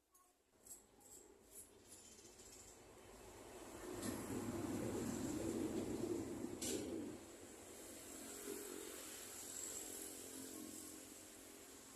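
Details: Steady background rumble like a passing vehicle swells and fades, with faint hiss and clicks and no clear animal calls.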